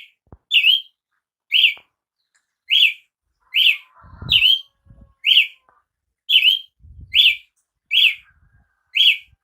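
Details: Brazilian tanager calling steadily, with about ten short, rising-and-falling notes spread over nine seconds, plus a few low thuds and rustles in the background.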